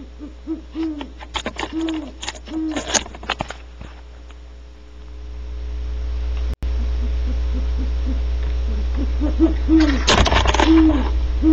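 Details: Great horned owls calling at Audubon Starr Ranch, California, in early morning on 1 January 2013 while a female barn owl returns to her cavity: groups of low, rounded hoots, then scraping and rustling bursts near the cavity.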